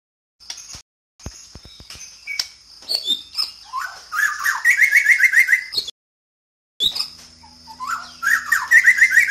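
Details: White-rumped shama (Copsychus malabaricus) recorded in Sabah, Borneo, singing a rich, varied song: high clear whistles, then quick rolling trills lower down, in bursts broken by short silences and a faint low hum.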